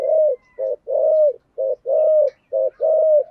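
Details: Spotted dove song in the giọng thổ style. Soft, low cooing alternates a brief pulsed note with a drawn-out mellow coo that drops at the end. The pairs repeat at an even pace, with a faint higher tone behind.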